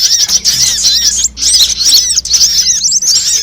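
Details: Lure sound of various sunbirds used to trap birds: quick, high, squeaky chirps and looping twitters packed closely together, with a faint low hum beneath.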